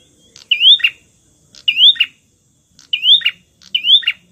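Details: Visiting prinia (prenjak tamu) in lively song, used as a lure to provoke rivals: four high, sharp phrases in four seconds, each a quick rising slurred whistle ending in a clipped downward note, with quiet gaps between.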